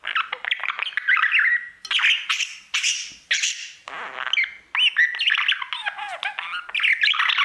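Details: Male budgie at his mirror, delivering a long run of chirpy, squeaky warble phrases with buzzy rasps and rising whistles, barely pausing.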